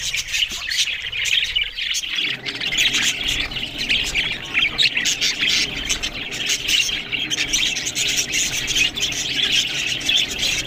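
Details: Several budgerigars, captive pets, eating green food. A low rumble fades after two seconds, then dense, overlapping high chirps and squawks chatter nonstop, many birds calling at once.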